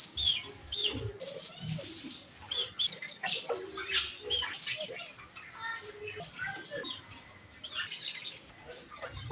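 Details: Duet of a green Fischer's lovebird pair: dense, rapid chirping and twittering notes tumbling over one another almost without pause, with quiet low background sounds.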